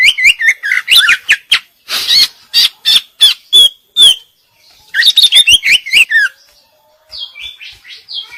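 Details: Female greater green leafbird singing vigorously in the full 'isian' style of fill-in phrases: rapid bursts of sharp chattering notes and looping whistled slurs, a short pause, then more twisting whistles and a few thin high notes at the end.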